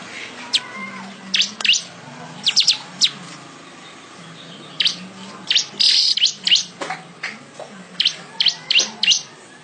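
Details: Weaver song as tutor material for songbirds: irregular sharp high chips and short clusters of tweets, with one brief buzzy burst midway, over a faint low hum.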